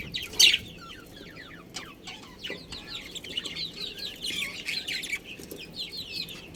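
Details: In a budgerigar colony holding a breeding pair, one loud squawk opens, then a soft, steady twittering of rapid sweeping notes continues quietly.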